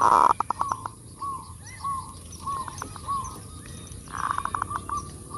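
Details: Full kerot zebra dove song for luring: a loud rasping opening burst with quick pulses, a series of soft rising coos, then a second burst with rapid pulsed notes.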